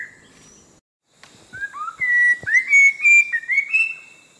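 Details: Orange-breasted laughingthrush, a Langbian Plateau endemic of southern Vietnam living at forest edges and dense undergrowth; after a quiet start with a few clicks, a rising run of bright whistled notes builds quickly, slurred and overlapping.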